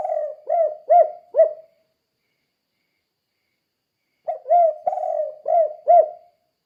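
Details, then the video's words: Gacor spotted dove (tekukur) with "kuk 2" cooing, played for training other doves to sing; two phrases of low hollow coos, each a stretched note followed by two or three short ones, separated by about two and a half seconds of quiet. "Suara Burung Tekukur Kuk 2 Gacor Untuk Melatih Tekukur Lain Biar Ikut Gacor"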